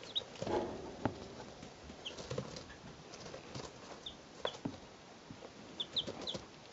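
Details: Three two-day-old chickens recorded in 2012 give scattered short, high, downward-sliding peeps spaced a second or more apart, with rustling, tapping and muffled knocks between them.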